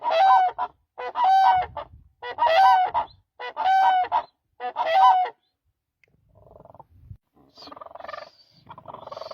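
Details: Five loud, rolling honks from a demoiselle crane about a second apart, followed by quieter mixed background noise after the calling stops.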